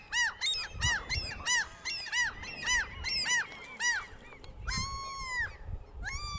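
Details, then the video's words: Several Common Gulls displaying in March 2020 at an upland breeding site in Central Scotland with over 100 birds give shrill, nasal, arched yelps in quick overlapping bursts, then long drawn-out mewing wails, over a low rumble. "Common Gulls (display)"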